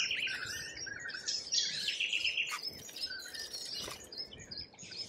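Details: Lorikeets in Australia producing a busy, screechy flock chatter of harsh rasping notes and shrill squeaks, continuous throughout with occasional louder bursts.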